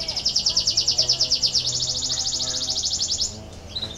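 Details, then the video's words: Canary song for rousing lazy canaries to sing, starting with quick high sweeping notes that merge into a rapid rolling trill, then a brief pause and a faint chirp. "KENARI BELAJAR BUNYI UNTUK MERANGSANG BUNYI- pancingan kenari malas bunyi"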